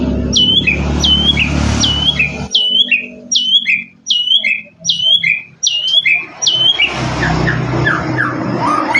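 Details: White-rumped shama in full-fill song: a hooked high note with a lower slurred tail, repeated about eight times at even spacing, with rumbling background noise before and after and softer varied notes at the end.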